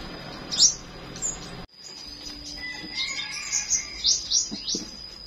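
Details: Morning song of a flowerpecker: high, thin chirps, first one bright note, then a quick run of four or five sharp rising notes near the end, against a constant shrill background tone.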